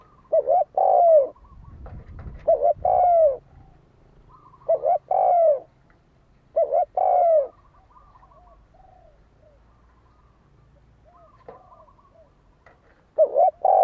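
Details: Spotted dove in fighting mode, its cooing used to provoke a decoy bird: paired mellow coos, a short note then a longer falling one, repeated every two to three seconds with pauses, faint chirps of other birds between phrases.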